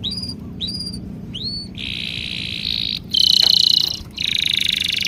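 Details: Bird chirping: three downslurred whistled chirps, then dense buzzy trills that jump to a louder, higher passage and continue with short breaks over faint background noise.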